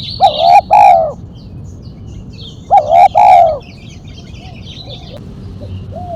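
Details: Spotted dove in the sharp single-kuk mercik style used for luring and training: two paired, rising-then-falling coo phrases about two and a half seconds apart, with scattered high twitters from small birds in the background.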